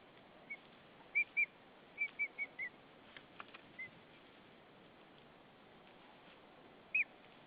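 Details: White-tailed eagle female at the Saunja nest in Estonia calling to her mate arriving with hay, 20 March 2013, evening; a run of short high piping notes, some wing or nest rustles, then one last yelp.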